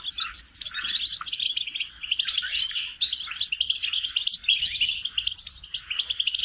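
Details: Goldfinch lesson song, a lively high chatter of quick metallic chirps, trills and twangy slurred notes that flows in phrases with a few brief dips in volume.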